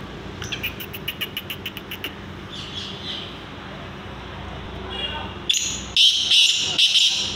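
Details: A black francolin gives a quick series of sharp clicking ticks, then loud, harsh, grating notes in a short rasping burst, over a low background hum.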